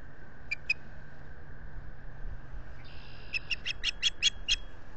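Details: Osprey at its nest at Salt Point in the Finger Lakes, US, filmed by a solar-powered nest camera on 25 April 2022: two sharp chirps, a pause, then a rapid run of about seven whistled cheeps over a steady low hum and wind.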